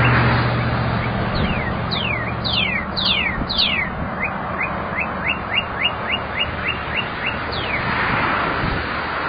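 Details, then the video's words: Female Northern Cardinal sitting in a tree calling to her mate: loud, clear down-slurred whistles, then a rapid run of about a dozen short, quicker slurred notes, over a low steady hum. "Female Red Cardinal Calling Mate"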